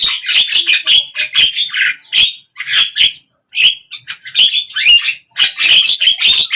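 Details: Javan myna singing, morning, midday and evening: dense, fast sequence of harsh, buzzy squawks and rasping chirps, broken by a couple of short pauses, loud and close.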